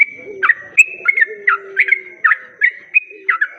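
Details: Yellow-vented bulbul lure song, played to attract other bulbuls: bright whistled notes with sharp slurred starts, about a dozen in quick irregular succession, over a faint low drawn-out note.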